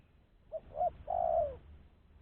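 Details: Spotted dove calling to draw in other doves: two short clipped notes, the second slightly rising, then a long sustained coo that slides lower at the end, over faint low rumble.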